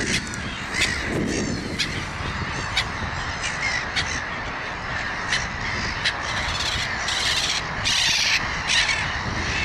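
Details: Crowd of gulls calling busily, about eighty short harsh notes a minute in an uneven rhythm, with louder scratchy bursts toward the end and steady low background noise.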